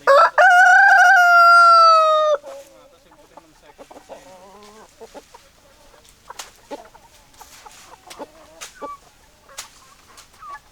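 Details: Chicken sounds: a loud, rich, harmonic crow held steady for about two seconds opens the recording, then gives way to soft, scattered clucks and short clicky notes that continue quietly to the end.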